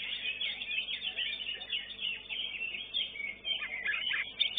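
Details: Caged greater green leafbird at a bird singing contest pours out a busy, jumbled run of warbled and chattered notes, with brief sharp accents near the end and a faint low background murmur.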